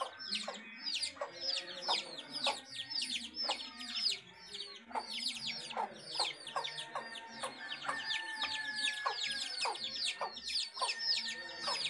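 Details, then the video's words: Domestic house hen with her chicks: a constant chorus of thin high peeping from the chicks over occasional lower clucks from the hen, with faint background noise. "House Hen and Chicks"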